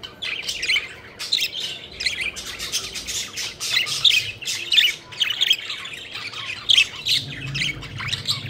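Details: Pet budgerigars playing and flying about, a flock chattering continuously with dense overlapping chirps, squawks and warbled notes, busy and unbroken, with a faint low hum beneath.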